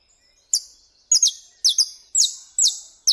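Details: Canário-da-terra (Saffron Finch) recorded in Brazilian nature: bright, piercing chip notes sliding downward, given about every half second, several in close pairs.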